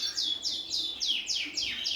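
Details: Caged male colour canaries and native finches in a birdroom in August, before the annual moult, chirp and sing in a quick run of high, bright, downward-sweeping notes; still singing strongly, a sign they are happy and healthy.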